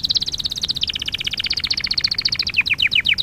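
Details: Canary singing in an education lesson for young canaries: a fast high trill that shifts slightly lower midway, then a series of swooping, downward-slurred notes repeated about three times a second.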